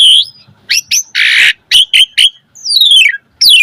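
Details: Asian pied starling singing actively in a varied, imitation-filled style, used as a tutor recording: a rising whistle, clipped high chirps, a harsh rasping burst, then long descending slurred whistles, with short silences between phrases.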